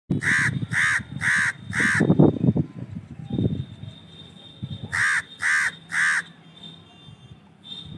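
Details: Crow giving harsh, hoarse caws: a run of four evenly spaced caws, a pause with low rumbling, then three more caws in quick succession, with faint low background noise between.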